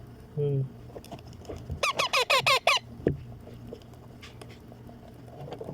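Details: Hand-fed baby Indian ringneck parakeet, a pet, letting out a rapid series of six grating squawks after a person's short word. Faint room noise continues afterwards.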